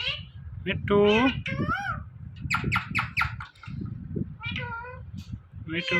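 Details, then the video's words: Talking parrot chattering "Mithu" and meow-like sounds: a rapid run of nasal, harmonic syllables and quick rising chirps, with steady low indoor rumble throughout. "Talking Parrot Saying Mithu"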